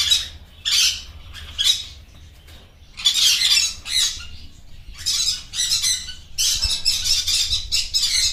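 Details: A blue yellow-sided green-cheeked conure gives harsh, raspy squawks in bursts of about half a second, repeating every second or so and running together toward the end.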